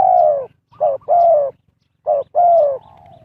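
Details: Spotted dove used as a decoy to lure wild birds in trapping, giving loud low hollow coos in phrases: a short note and then a longer falling one, repeated twice, with a faint rumbling undertone.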